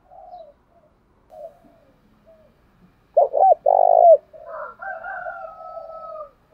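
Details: Spotted dove lure call provoking fights. Soft scattered coos lead to a loud bubbling double coo, then a longer wavering coo with a higher overtone that fades out slowly.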